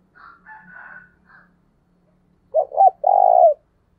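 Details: Spotted dove giving a 'thúc bổi' call to stir a decoy bird. Soft scratchy chirps from another bird come first, then the dove's two short hoarse notes and a long, rolled, low coo.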